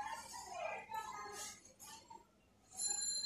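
A myna talks in speech-like bursts, with quick chattering syllables and a few bright, ringing whistles in between.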